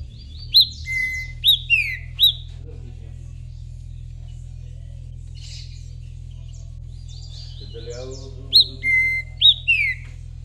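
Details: Rufous-bellied thrush (trinca-ferro) song in two bursts, each of quick whistled upslurs, a level whistle and falling notes, separated by a quiet pause with soft mutterings over a constant low hum.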